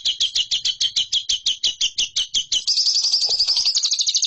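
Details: Lovebird song used as a training recording for competition birds: a fast series of sharp, even chattering notes, about three per second, that gives way to a tighter, quicker buzzing trill near the end.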